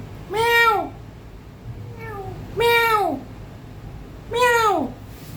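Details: Grey parrot indoors mimicking cat meows: three loud, drawn-out meow-like cries sliding downward in pitch, about two seconds apart, with a softer meow between them; spoken greetings such as hello and good morning surround the meows.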